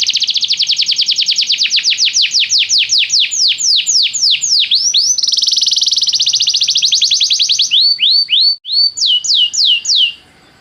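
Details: Canary song used in training to prompt another canary to sing: long rapid series of bright downswept notes, then a dense buzzy rolling trill, ending with slower looping whistled sweeps.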